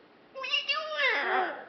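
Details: Rachel, a female pet macaw, talks unaware of the camera, with phrases like "How are you?" and "Whatcha doing?"; here a short word-like phrase in a hoarse, humanlike voice, rising then sliding downward over about a second and a half.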